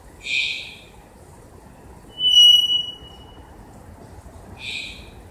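Three-wattled bellbird: two harsh, clanging bursts about four seconds apart, with a thin, ringing whistle held between them.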